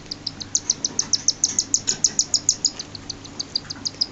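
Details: A six-day-old cockatiel chick gives rapid, thin, high-pitched peeps while being fed.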